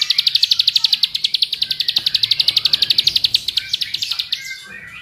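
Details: Bar-winged prinia song played as a lure for other prinias: a long, very regular stream of piercing high notes, about four each second, lasting over four seconds before stopping, with a brief twitter at the end.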